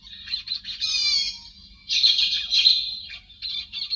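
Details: Shrill chirping and scratchy chatter of a héc xoan bird, an edited lure recording for flocks, coming in short bursts with a louder, harsher outburst in the middle.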